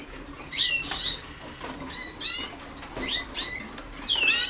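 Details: Young Waterslager canaries a few days into song training in 2010: scattered warbling phrases of sliding notes and one sharp high trill near the end, against a faint noisy background.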